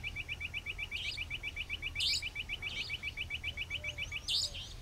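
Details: Savanna nightjar calling in the evening at Dharmpura, Khandela, Sikar, Rajasthan, India: sharp, high 'dheet' notes given four times at uneven gaps, over a steady rapid ticking insect-like pulse and low background hum.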